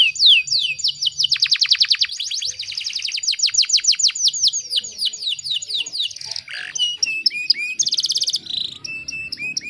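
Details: Female canary in breeding mood luring a male, used to get canaries singing: high down-swept notes run into fast rolling trills, followed by a varied jumble of chirps, slurred whistles and a brief buzzy burst.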